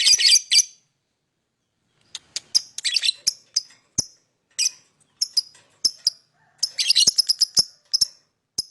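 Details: Lovebird chirps, played to lure other birds: single high, clipped chirps spaced out, then short scratchy chattering bursts, against a quiet background.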